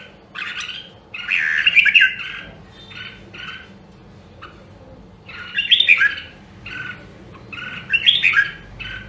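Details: Red-whiskered bulbul from Nam Đông, Huế, singing for voice training and competitive song. Bursts of dense chattering, warbled notes come in three clusters with quieter spaced chirps between, over a low background hum.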